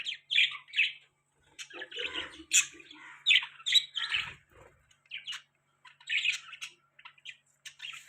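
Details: Pet budgies chirping while eating. There are soft, scattered warbling chirps and chattery notes with short gaps, fairly quiet, and a few faint low taps.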